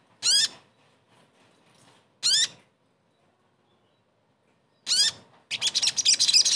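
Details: Caged ashy tailorbird (sogon) therapy sound meant to restart a silent bird's song: sharp, high sweeping notes spaced a few seconds apart, then a fast rattling buzzy chatter at the end.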